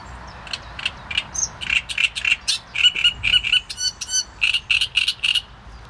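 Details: Great reed warbler (Acrocephalus arundinaceus), song.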